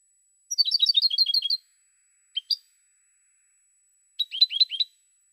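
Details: From 2016, European goldfinch song: a second-long bright trill of repeated high notes, a short two-note pause, then a further twittering phrase.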